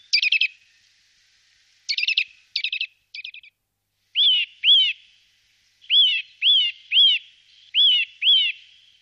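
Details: Eurasian nuthatch, 2018: several harsh, rattly, stuttering notes come first, then a run of loud, clear whistled notes that rise and fall, paired or in short series, against a quiet background.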